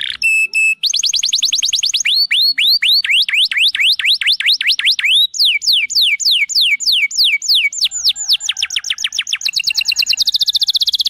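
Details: Canary song moving through several tours: quick sharp chips, a series of repeated swooping downslurred notes about four a second, then faster rising trills and a high rapid rattle.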